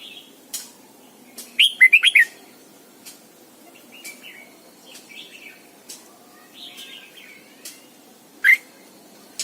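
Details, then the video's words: Caged Red-whiskered bulbul lure bird giving morning double-note forest-style song for training: a loud burst of rapid warbled notes near the start, then soft chattering and a single sharp note later. "luyện chào mào mồi hót sáng cực hay, ép chào mào hót âm kép già rừng hay tuyệt!"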